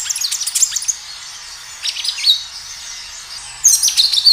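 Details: Kinoi song used as a lure: an opening flurry of high chirps, a quieter middle with a few thin notes, then a sudden loud burst of high whistled twittering.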